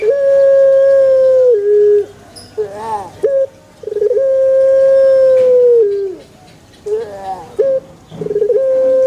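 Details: Male dove, used to prompt other doves into calling. Long, steady hooting coos drop in pitch at their ends, alternating with rolling, wavering notes and brief sharp notes, repeated about twice in nine seconds.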